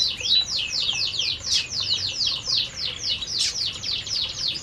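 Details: Several canaries eating in an aviary give a dense stream of high chirps, quick downward-sweeping notes tumbling over one another at about three or four per second, with one longer flat whistle near the start.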